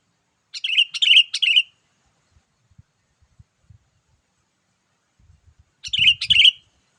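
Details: Energetic sooty-headed bulbul call used for luring wild birds: three quick bubbly notes, a pause with scattered soft knocks, then two more warbling notes over low thumping.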